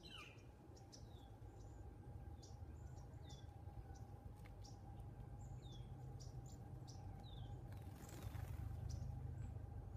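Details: A flock of cedar waxwings feeding on persimmons in a persimmon tree gives thin, high, lisping downslurred notes every second or so over a steady low rumble of wind or distant traffic.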